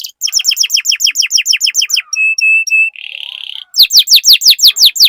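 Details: Canary song used as a lure for other canaries: a rapid series of falling whistled notes, three flat piping notes, a short buzzy roll, then loud fast descending sweeps again.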